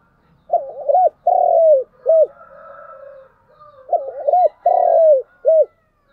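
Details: Decoy spotted dove giving its morning lure call to draw wild doves close: two clear repeated phrases of mellow coos, a stuttered double note, a long sliding croon, then a short closing coo, with soft low murmur between phrases.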